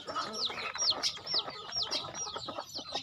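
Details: Farm chickens being fed utter sharp, downward-curving whistled peeps, several in quick succession, above a murmur of softer calls.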